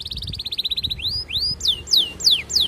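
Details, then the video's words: Courting canary, its song used as a lure for other canaries: a rapid even trill, then slow upswept whistles turning into loud falling whistles about every 0.4 seconds. "Kenari Gacor Panjang MERAYU BETINA Cocok Buat Pancingan Semua Jenis Kenari Biar Ikut GACOR NGEROLL"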